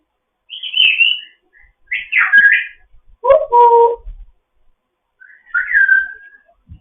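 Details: African grey parrot, a fostered pet, chattering in the morning: high whistled phrases, a squawky honking note in the middle, then a final falling whistle.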